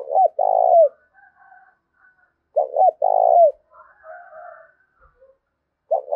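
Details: Low, mellow coos of a spotted dove meant to stir up a fight, with phrases of double hoots and long notes about three seconds apart. Soft higher twittering and murmurs come between them.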